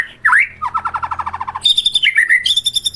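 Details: Melodious white-rumped shama song: a rising whistled slur, then a rapid even series of about a dozen clear low notes, ending in high ringing sustained whistles with trilled overtones.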